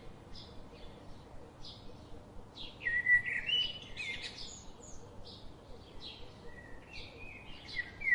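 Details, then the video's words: Many short high chirps from birds, joined midway by louder warbling whistled phrases that recur toward the end, over a background hiss. "Birds sound"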